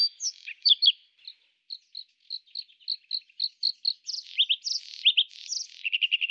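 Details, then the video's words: Bluethroat recorded in Moscow and Ryazan region, Russia, where male song and female alarm calls were noted: high whistled and chirping notes, several short phrases repeated at an even pace, ending in fast buzzy trills. "Вара́кушка. Голос. Песня ♂. Тревога ♀."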